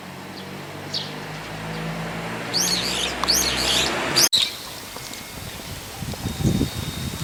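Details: Brown-eared bulbul (Hypsipetes amaurotis) calling in the evening from a power line, one of its two evening call types: three loud, shrill, slurred notes in quick succession, over a low rumble of distant traffic.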